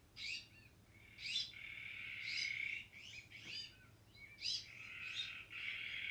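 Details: Azure-winged or Iberian magpie calls: short, harsh, scratchy bursts spaced about a second apart, laid over a continuous high buzzy drone.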